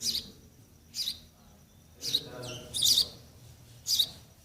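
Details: Nestling sparrows waiting to be fed by their parents give short high chirps about once a second, with a brief lower descending note in the middle.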